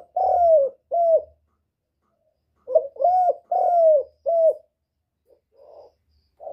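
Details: Spotted dove calling to stimulate birds: two short hollow coos, a pause, then a four-note phrase ending in a long falling coo and a clipped final note. Faint low thumps and soft trailing notes follow.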